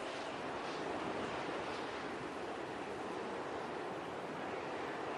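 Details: Constant broad rushing wind or surf-like roar throughout, with no animal calls.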